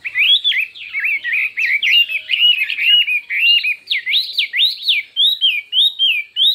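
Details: Many-voiced contest song of a Chinese hwamei: continuous loud whistled notes that swoop up and down, roughly two per second, becoming clearer, looping whistles toward the end.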